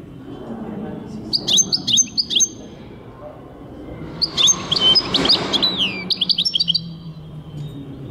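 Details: European goldfinch singing in 2023: two bursts of high, tinkling twitters and liquid trills, the second longer with a downslurred note near the end, over a low background rumble.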